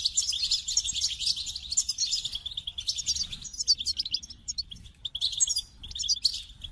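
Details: Long, lively goldfinch song: a fast stream of tinkling chirps and rolling trills that dips briefly near the end, with faint low background noise.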